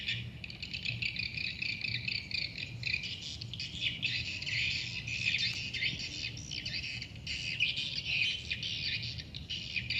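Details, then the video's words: Swiftlets inside a swiftlet house, a continuous chorus of high chirps and twitters at moderate loudness over a faint low hum. "rumah burung walet"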